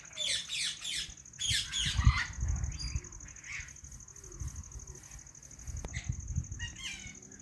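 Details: White ringneck parrot uttering several rough, scratchy squawks and chirps in quick bursts early on, then quieter scattered calls, with a persistent high electrical whine and low rumbling thumps underneath.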